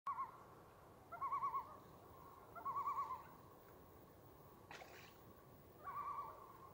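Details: Common loons on Cheakamus Lake in Whistler, British Columbia, recorded 28 July 2018: four bursts of quavering, laughing tremolo calls, each about half a second long, spaced one to two seconds apart over quiet water, with one brief knock midway.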